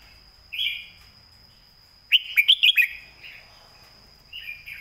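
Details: Red-whiskered bulbul singing a master song used to teach other birds, a sharp, clear style: a short whistled note, then a fast burst of five loud chirping notes, then a softer closing phrase; steady faint electrical tone behind.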